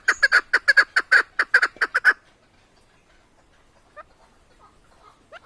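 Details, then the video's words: Tajik chukar partridge (keklik) gives a burst of loud, rapid clucking chucks for two seconds, then goes quiet, with only a few faint notes afterward. "Садои Модкабки Шикори Голос птиц как поёт горная Куропатка Кеклик Keklik Partridges in Tajikistan"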